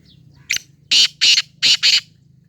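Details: Black francolin calling: a short thin note, then four loud, harsh, rasping bursts grouped in two pairs within about a second, high and grating, over a faint low background hum.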